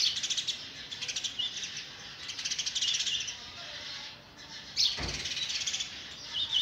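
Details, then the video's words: Sparrow chicks being fed oversized food by an adult, begging with rapid, high, rasping chirps in pulsing bursts; a short thump and a faint flutter of wings break in midway. "Sparrow bird is trying to feed it's chicks oversized food"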